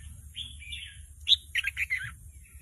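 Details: Young Red-whiskered Bulbul, caged, trying out song that is not yet complete, prompted by a recorded song: a drawn warbling phrase, then a loud sharp note and a rapid cluster of chirps.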